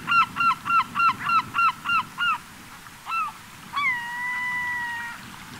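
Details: Gulls gathering on a Cotentin beach at the end of summer, 7 September: a rapid series of eight short laughing calls, then a single call, then one long level wail; surf rumbles beneath.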